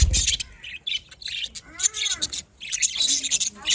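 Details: Morning chirping from budgerigars: squawky, rasping bursts and quick tweets come in clumps with brief pauses, plus faint lower tonal sounds.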